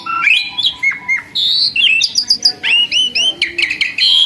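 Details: A formerly wild, nervous myna that has become tame and sings freely, delivering rapid, varied phrases: bright rising whistles, clipped chirps and high squeaky notes strung together with short pauses.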